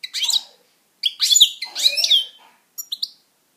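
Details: Singing pet European goldfinch: rich, liquid twittering phrases with sweeping notes, a pause, then a pair of short high chirps at the end.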